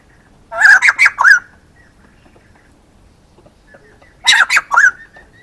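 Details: Male white-crested laughingthrush calling: two loud bursts of four harsh, chattering notes each, rising and falling, separated by about three seconds of quiet.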